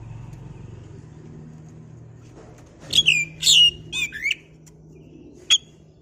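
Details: Oriental magpie-robin, a kept bird, giving a short burst of whistled, slurred and buzzy notes after a stretch of low hum, then one sharp isolated note near the end.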